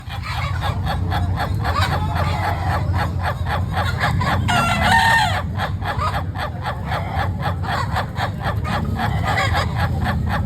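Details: Laughing chicken (ayam ketawa) rooster giving a long-duration crow: a fast, steady run of short harmonic cackling notes, about four a second, forming an unbroken laughing chatter, with a brighter, more complex burst near the middle and a low background hum.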